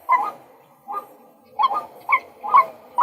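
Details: Male White-breasted waterhen giving a few harsher, broader notes at uneven intervals, about six in three seconds, with short pauses between bursts.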